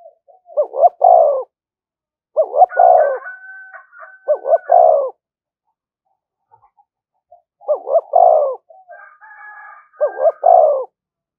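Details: A decoy spotted dove calling nonstop to provoke fighting, cooing in repeated low phrases, two short notes then a long sliding coo, several phrases run together, with faint higher drawn tones in the background.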